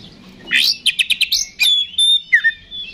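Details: Oriental magpie-robin song in the fighting ngeplong style, meant to rouse other magpie-robins to respond; a short burst of four quick buzzy notes follows a rising sweep, then a long pure whistle and a dropping slurred note.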